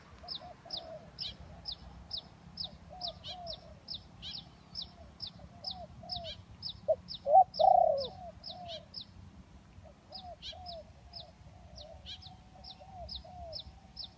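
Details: Spotted dove cooing in a luring recording of hybrid and village birds: soft, low, slightly downslurred coo phrases recurring every second or two, one louder burst midway, with a steady series of high, sharp chirps ticking throughout.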